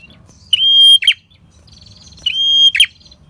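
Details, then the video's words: Lure recording of a red-headed prinia for trapping wild birds. Two phrases, each a sustained pure high whistle cut off by a rough, descending buzzy flourish, over a quiet low background hum. "PRENJAK KEPALA MERAH Gacor Ngalun"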